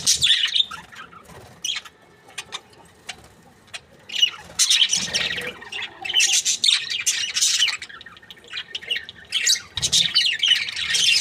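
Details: Happy budgerigars squawking and chirping in loud rasping bursts, a quieter stretch of scattered notes in the middle before the chatter swells again.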